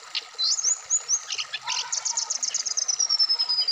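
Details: Black-throated laughingthrush, a caged bird set out in the morning dew, singing a varied song of high whistled slurs, rapid chip series and a long descending whistle near the end, with a faint background hum.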